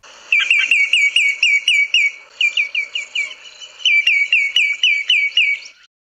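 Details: Common Greenshank, in Southern Africa, giving ringing, slightly falling whistled notes, about four a second, in two long runs with a brief pause between.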